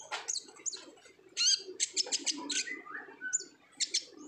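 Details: Olive-backed sunbird singing in chatty 'gacor ngobra' fashion, played as a lure to make other sunbirds sing; clusters of sharp high chips and short twitters over a soft low murmur.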